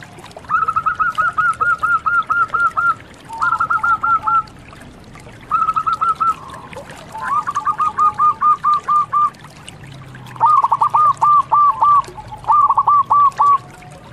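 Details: A local zebra dove, recorded as a tutor/lure call, coos in rapid, clipped rolling phrases, each a quick string of soft notes, repeated about every two seconds over faint background hiss.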